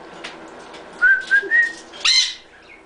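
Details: Pet cockatiel whistling Happy Birthday: three short clear whistles, each slightly higher, then a sudden harsh screechy note.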